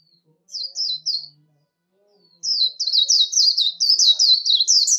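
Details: Warbling white-eye líu competition song: three quick high notes, a pause, then a fast accelerating run of twittered notes climbing slightly toward the end.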